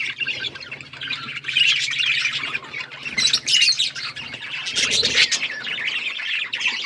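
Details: Several budgies chirp at breeding time in a loud, rolling chorus of warbled twitters and harsh squeaks, rising in bursts, with a faint low hum underneath.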